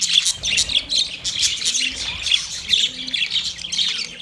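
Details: Budgerigar calling to another budgie: dense, continuous high chirping and warbling chatter with rapid overlapping twitters and short squeaky notes, no pauses.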